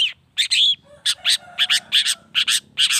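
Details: Long-tailed shrike used as a provoking lure for other shrikes: a whistled upslurred note followed by a quick series of rough, buzzy chatter notes, about four per second, over a soft lower tone.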